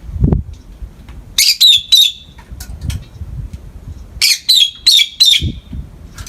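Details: Pet peach-faced lovebirds in morning light: two rapid bursts of four or five shrill, slightly buzzy chirps separated by a pause, with soft low thumps and rustling nearby.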